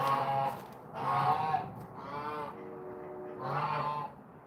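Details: Domestic Chinese geese (swan goose breed) raised by their owner in South Dakota give loud, nasal, harmonic honks, four in under five seconds, each about half a second long and somewhat irregularly spaced.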